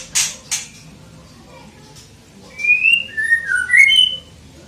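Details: One-year-old White-rumped shama from Bahorok, said to have a fighting spirit and a loud voice. Two sharp clicks open, followed after a pause by a run of five or six clear, loud whistled notes stepping up and down in pitch.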